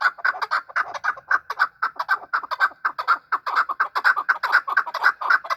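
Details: Chukar partridges fighting and calling: a steady run of harsh, clucking chuck notes about twice a second, each a broad burst centred mid-pitch, carrying on without pause through the whole stretch.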